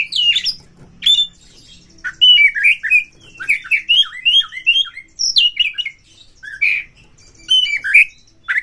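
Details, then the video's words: Kacer, or Oriental magpie-robin, lure song that boosts other birds' excitement and tail-opening: rich continuous run of quick, varied whistled and scratchy notes, loud and busy throughout. "Pancingan Kacer ini dapat Mendongkrak EMOSI PANCINGAN KACER TOP BUKA EKOR"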